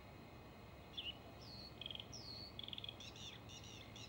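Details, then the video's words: Male Bluethroat singing a vocal trial: short whistled notes and a sliding phrase near the start, then rapid buzzy repeated trills and metallic doubled notes, over a steady low background hum. "ВАРАКУШКА( Luscinia svecica - шведский соловей) НА ВОКАЛЬНОЙ ПРОБЕ"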